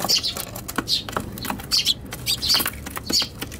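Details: Eurasian tree sparrows squabbling inside a box on a balcony, 7 July 2021, Tanabata, caught on an RX100M5A camera: sharp, high chirps in quick irregular bursts, mixed with clicks and wing-flutter rustling.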